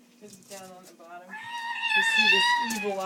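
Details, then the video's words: Caged Amazon parrot, refusing to go to bed at night, mimics a complaining cat: two short nasal notes then a long, drawn-out, slightly wavering meow; a person's voice faintly heard. "Meowing Parrot"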